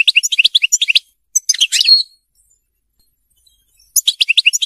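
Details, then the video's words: European goldfinch song from a captive bird, used for song tutoring: bursts of tinkling twitter and chattering notes separated by a silence of about two seconds. "تحفيظ طائر الحسون الملكي التغريد (المقنين)"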